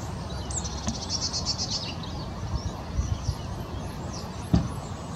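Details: Song thrush singing at Hope Carr, Leigh, Greater Manchester, England, on 3 February 2019: a distant, high phrase of about six quickly repeated clear notes, then softer fragments, over steady low traffic rumble.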